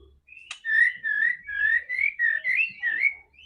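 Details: White-rumped shama song played to prompt a quiet bird to sing: a continuous run of rich whistled phrases near mid-high pitch, rising and falling notes strung together with a sharp click at the start.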